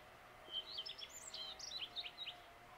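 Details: Common redstart (Phoenicurus phoenicurus) singing at dawn: a quick run of high, twittering notes, sweet whistles mixed with scratchy fragments, over a faint background hum.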